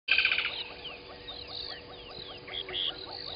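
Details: Woodland kingfisher at the Gowrie dam waterhole, Djuma Game Reserve, Sabi Sand Wildtuin, South Africa, singing at 05:29 on a December 2020 morning. It opens with a loud, fast, pulsed high trill, then a busy background chorus of repeated short calls from other animals continues.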